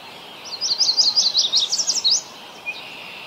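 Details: Ontario, Canada yellow warbler singing a bright, high-pitched phrase of roughly a dozen fast, sweet chirps lasting under two seconds, ending on a sharp rising note, with one faint lower note afterward over soft ambient hiss.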